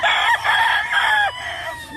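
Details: Roosters from black show and breeding fowl lines (Black Jap, McRae, Harold Brown Grey, Red Fox) on a Hawaii farm crow loudly and harmonically, several drawn-out crows overlapping and falling at their ends, with a man talking.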